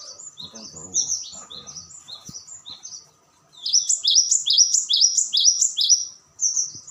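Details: Cinereous tit song: high, thin two-part phrases repeated rapidly, soft at first with faint background rustling, then after a brief pause louder, brighter repeated notes.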